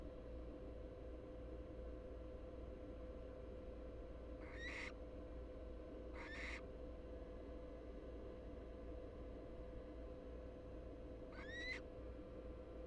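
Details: Three American barn owl nestlings (Tyto alba pratincola), two large and one small, in a nest box on a live cam in Florida; three harsh, hissing broadband screeches, some with a rising edge, spaced irregularly over a steady low hum.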